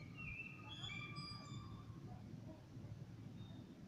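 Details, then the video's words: Evening blackbird song: a short burst of clear, layered whistles and a sliding note in the first two seconds, then quiet with low rumbling background noise. "Abendlicher Amselgesang"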